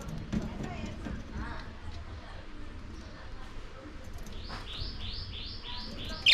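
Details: Lovebirds feeding while eating corn. Low rumbling background noise fills the first four seconds, then a run of five sharp, high-pitched chirps repeats about twice a second until the end, with a louder burst at the very end.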